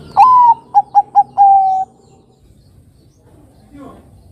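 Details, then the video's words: Zebra dove of the Bangkok type, a bird from Java, singing as a lure to prompt young birds to call: a long clear coo, three short staccato notes, then a longer level coo, followed by quiet background hum. "Pancingan Suara Burung Kutut Perkutut Bangkok Gacor Ini Mudah Ditiru Kutut Bangkok Remaja Agar Bunyi"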